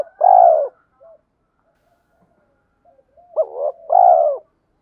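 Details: Spotted dove lure voice meant to goad wild males to fight: a long mellow falling coo, a pause, then a short rising note and another long slurred coo, quiet background.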